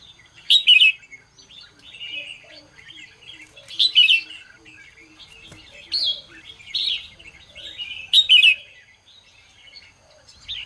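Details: Red-whiskered bulbul's morning song, meant to excite and train other bulbuls. Loud ringing whistled bursts come about every two to four seconds, with softer warbles between them and a faint repeated low piping underneath.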